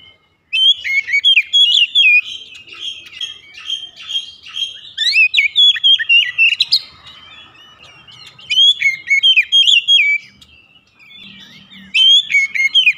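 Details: Kacer, or white-rumped shama, in morning song: long varied bursts of fast whistled and chirping notes, several phrases with brief pauses, a faint low murmur late on.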